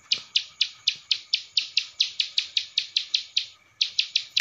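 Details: Ciblek sawah singing a masteran training series, Cililin style: a long string of loud, sharp high chips about four per second, a brief pause, then the chipping resumes.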